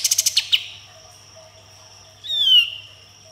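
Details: Sooty-headed bulbul singing energetically: a quick run of sharp staccato notes ends in a harsh chip, followed after a pause by a loud, clear, descending whistle.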